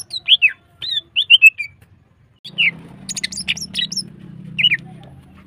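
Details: Lively female greater green leafbird used as a lure for other birds: a run of crisp downslurred whistles, a short silence, then high twittering chirps and one more whistle over a low droning hum.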